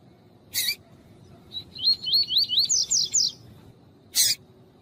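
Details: Double-collared seedeater (coleiro tuí-tuí) male song with a calling female, used to warm up a male. A harsh, noisy chip is followed by a short note, then a series of wavy slurred whistles ending in three higher notes. Another harsh chip closes it.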